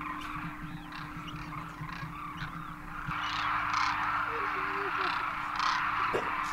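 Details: Wintering Demoiselle Cranes at Khichan Village in Rajasthan, India, juveniles alongside adults after a Himalayan crossing; many birds call at once in a thick trumpeting chorus, swelling louder midway, while people talk nearby and a low hum persists.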